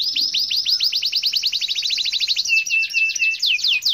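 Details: Canary singing in lively gacor style: a rapid trill of downslurred sweeps, then a short series of steady, level whistles, ending in quick sweeping notes.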